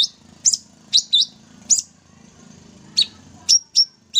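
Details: Sooty-headed bulbul in energetic 'tembak' song: sharp, high, slurred chips given singly or in quick pairs, each with a short downward-falling tail, spaced roughly half a second apart.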